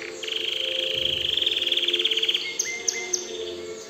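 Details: Canary song from an excited canary: a fast buzzy high trill lasting two seconds, followed by a few short clipped notes at two different pitches, with a faint steady hum beneath.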